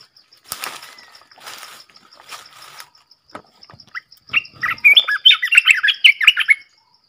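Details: Red-whiskered bulbul song: after several seconds of rustling, broadband thumps, the bird gives a lively run of loud, warbled whistles, rising and dipping quickly, against a constant high ticking.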